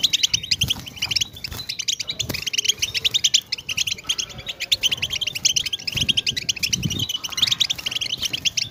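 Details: Rapid, crowded goldfinch twittering of the batbata kind, played to stimulate silent goldfinches, running continuously while low thumps and background noise sound underneath.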